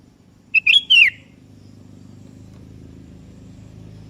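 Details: Sooty-headed bulbul (kutilang kebo) calling out to a rival: one clear whistled phrase of three quick notes, rising then sliding downward, followed by a low rumbling engine-like background noise.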